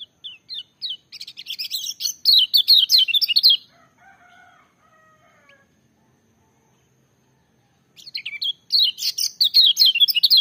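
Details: Lemon-bellied white-eye, kept as a songbird, singing a loud, full-voiced song: rapid bursts of high, sharp descending whistled notes around three seconds long, a pause with faint lower sounds, then another fast, tumbling phrase.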